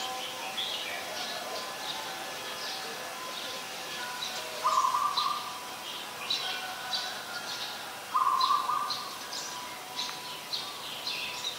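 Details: In Ubon Ratchathani, Thailand, on 24 February 2022, an adult zebra dove sings two quick stuttering coo phrases about three and a half seconds apart, with steady chirping from many other birds behind.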